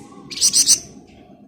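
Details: Scarlet minivet giving three quick, intense, very high buzzy pulses in ngebren style over a low background hum.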